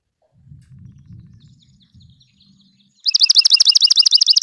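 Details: Swamp Sparrow (Melospiza georgiana) song: a loud, rapid trill of identical sweet, high notes, several per second, with faint human speech before it.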